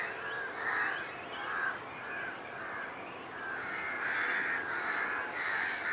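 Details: Grown great cormorant fledglings at nests on Kaikondrahalli lake, 21 April 2021, begging parents nearby for food: harsh, hoarse calls repeated over and over, roughly one or two a second, in an uneven series.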